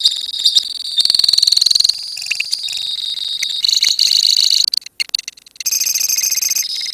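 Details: Lovebird colony singing, kept to spur long ngekek song: dense, high, buzzy chattering trills from several overlapping birds, run fast and nearly unbroken, with a short drop-out near the fifth second before the chatter resumes.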